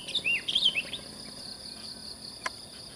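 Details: Morning song of a sooty-headed bulbul in the countryside, sung cheerfully at sunrise in the mountains: a short burst of four or five bright whistled notes, then only continuous insect buzzing and one sharp click.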